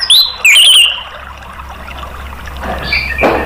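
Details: Orange-headed thrush in a recording meant to stimulate caged birds into singing: two short, loud, wavering whistled phrases in the first second, then quiet background hiss with a faint later note.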